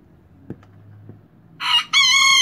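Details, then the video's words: Miniature rooster, young and newly crowing, marking territory: soft clicks and a low hum precede a short rising note and the start of a long harmonic crow, cut off at the end. "Gallito Miniatura Cantando Kikiriki"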